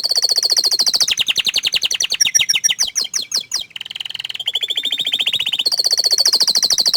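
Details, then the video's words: Canary, shy to show its face, singing a long continuous phrase of rapid rolling trills that change speed and pitch, with a lower buzzy trill before a high trill returns. "Suara Kicauan nya Mantul Sekali tapi Sayang Kenari ini Malu Menunjukan Wajahnya"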